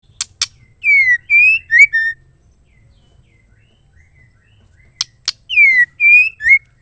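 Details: Female white-rumped shama call, said to stir males into singing: two short sharp clicks, then a phrase of three or four clear descending whistled slurs, repeated twice with a long quiet gap between.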